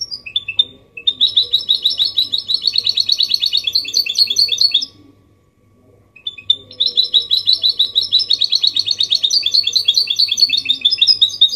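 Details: Goldfinch mule in clean 'copia malaga' song, played to prompt males to sing and chicks to memorise; long rapid liquid twittering runs, a brief pause near the middle, then the same high chattering resumes.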